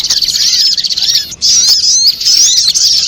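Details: Dense spiderhunter chirping for luring birds into traps: shrill, rapid squeaks and twitters filling the whole stretch, with one short pause.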